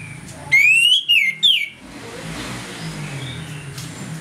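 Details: Orange-headed thrush in the morning, singing in the loud ngeplong style, used as a lure to provoke aggression: one loud, clear whistled phrase rising then falling, followed by steady low background hum and traffic-like rumble.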